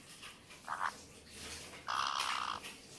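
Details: A pet white-bellied caique, one of two, eating blueberries for the first time gives a short nasal squawk, then a longer harsh, buzzy screech under a second. Its owner says this gurgling sound means the food tastes good. Indoors, quiet room.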